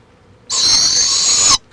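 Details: Barred owl in Florida, recorded 23 March 2015 on a live stream: a single loud, breathy, hissing screech held evenly for about a second, then cut off sharply, over quiet surroundings.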